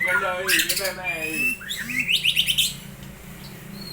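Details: White-rumped shama, Aceh long-tailed type, singing a fancy fill-in style: rich buzzy harmonic notes, then a clear whistle and a fast rippling trill that fades out.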